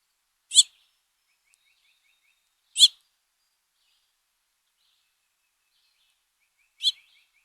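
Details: Male house finch with begging fledglings, recorded by trail camera: three sharp, raspy chirps several seconds apart, with faint, soft, high twittering notes in the gaps.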